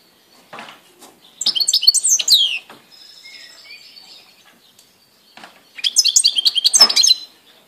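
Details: European goldfinch recorded on 17 April 2018. It sings two rapid twittering bursts of liquid chirps and buzzy notes, separated by a quieter buzzy, wavering trill.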